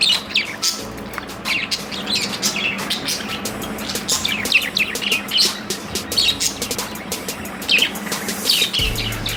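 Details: Budgerigars playing happily chatter in a busy flock of high, scratchy chirps and warbling tweets.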